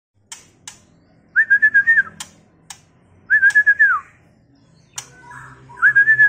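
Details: Young male White-rumped shama (Copsychus malabaricus) from Medan, still in spotted juvenile plumage, sings three quick bursts of five or six clear whistled notes that rise slightly then drop, with scattered sharp clicks between phrases.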